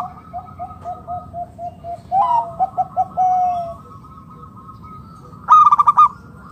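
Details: Loud, vigorous local zebra dove used to entice other doves into singing: a soft run of evenly spaced coos speeds into clipped notes and a long held note, then a sharp, rapid, ringing trill, with another dove cooing faintly throughout.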